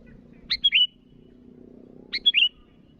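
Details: Sooty-headed bulbul calling to rivals: two quick, bright three-note phrases about one and a half seconds apart, a sharp note then a whistled slur and a gliding bubbly note, over a soft hum.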